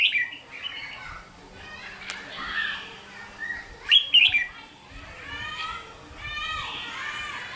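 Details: Wild-caught Red-whiskered bulbul kept in captivity in Vietnam, singing short, loud whistled phrases. The warbling notes sweep and break, with the brightest bursts near the middle. Softer chirps and possible faint voices fill the gaps.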